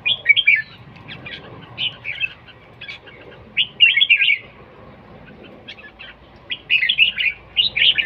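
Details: Red-whiskered bulbul in singing competition: bursts of quick, chattering warbled notes separated by pauses, with three main phrases spaced across eight seconds over faint background rumble.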